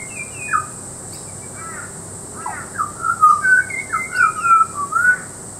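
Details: {'animal': 'butcherbird', 'caption': 'Butcherbird song recorded in Peachester, Queensland: a few short whistles, then a rich string of mellow, looping whistled notes in quick succession, rising and falling, with a steady shrill background hum.'}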